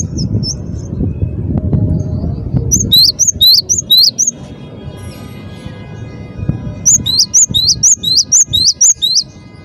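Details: Singing cinereous tit (gelatik batu): a few soft notes, then two lively series of sharp, repeated two-note whistles with a faint hum between them.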